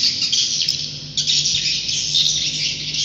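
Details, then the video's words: Swiftlets roosting: a busy, high twittering chatter of many overlapping chirps, over a faint low hum. "Suara Inap Walet Terbaik"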